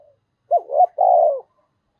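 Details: Decoy spotted dove coo in the 'gáy gọi' calling style: a short hooked note, a rising second note, then one long steady rolling coo, low and mellow, in a quiet setting.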